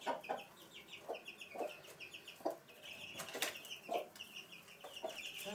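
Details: Hen with her chicks indoors in a house room at Sandoval de la Reina, April 2016: low, soft clucks repeated roughly every half second to second, over a steady carpet of high, thin chick peeps.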